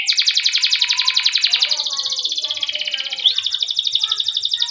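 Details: Long rolling canary song used to coax and train other canaries: a sustained, very rapid high trill with rolling texture, a brief upward whistled slur near the end, then the trill resumes.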